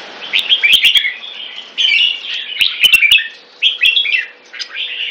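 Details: Red-whiskered bulbul, known as jambul, singing bright, bubbling warbled phrases in short clusters with pauses between, interrupted by a few sharp clicking knocks.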